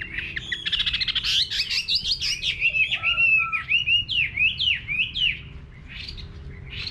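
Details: Chinese hwamei singing in a countryside garden: a fast rattling trill opens into loud varied whistles and repeated downslurred notes, then softer phrases, over a faint low hum.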